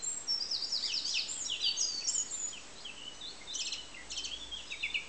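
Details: Song thrush song, bright and high: tumbling varied notes at the start, then a few separated phrases made of sharp, quickly repeated elements, with low steady hiss behind.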